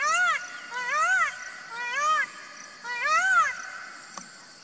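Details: Indian peafowl giving four loud, nasal, arching cries in steady succession, each rising then falling in pitch, roughly one per second, over a faint hum of background noise.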